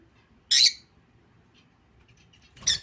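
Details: Pet lutino lovebird letting out a sharp, piercing squawk, then silence, then a second harsh screech rising near the end; still indoor background.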